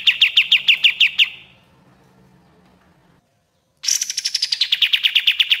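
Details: Common iora song, locally kapas tembak, used as a master for training birds: the end of one fast descending trill fades out, a pause follows, then another bright rapid trill starts high and drops into a steady repeated run.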